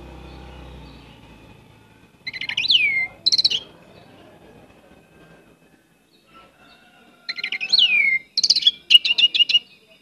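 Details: Active Orange-headed thrush in varied song, giving sweeping downslurred whistles and tight clusters of sharp chirps in two bursts, over faint low background rumble and hiss.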